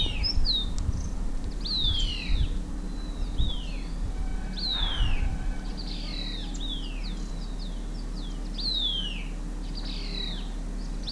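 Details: Green-backed tit foraging, flushing insects from shrubs and feeding on the ground, gives thin, high, sharply falling chirps about once a second, some overlapping, over a steady low background rumble.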